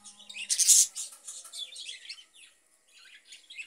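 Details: Caged budgerigars give one loud harsh squawk, then softer scattered chirps and twitters with a brief quiet gap.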